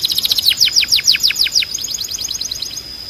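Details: Belgian canary song used to train birds: a run of loud, fast, descending whistled sweeps repeated about three times a second, fading into a softer rapid high trill.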